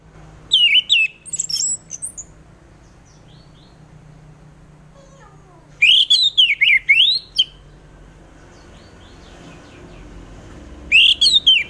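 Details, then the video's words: Orange-headed thrush song used as a lure to prompt other birds to sing: short bursts of loud, rich whistled phrases sliding up and down, separated by pauses of several seconds. "Pancingan Suara Burung Anis Merah"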